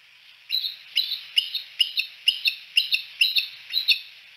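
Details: Bald eagles at Decorah, three perched together on a Y-shaped branch at sunset, giving a series of about nine high, sharp piping chirps, each quickly doubled, repeated roughly every half second.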